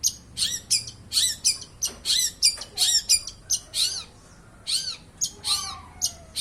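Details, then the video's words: Long-tailed shrike, the so-called thousand-language bird, pours out a dense stream of squawky, arched and chattering notes, varied in shape, with only brief pauses. "Cendet burung seribu bahasa"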